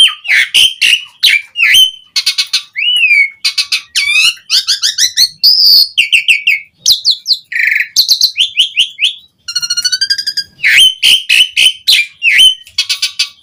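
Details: Long stretch of Asian pied starling song, vigorous and full of varied phrases, aimed at prompting silent starlings to reply: chattering clusters, rising and falling whistles, clicking rattles and buzzy notes following one another quickly.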